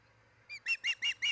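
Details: Osprey at the nest in Charlo, Montana, July 2018: one softer thin whistle, then four loud, shrill, slurred chirps about every fifth of a second, over a low background hum.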